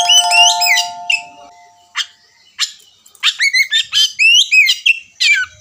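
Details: Kacer, the oriental magpie-robin, beginning its ngerewek song as a lure: a steady whistled tone at the start, then scattered notes building into a rapid run of rising and falling whistles and scratchy chatter.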